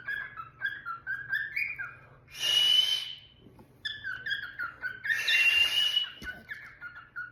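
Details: Pet cockatiel indoors mixing soft, fluttering whistled chirps with two loud, harsh screeching calls about three seconds apart, then more quick twittering notes.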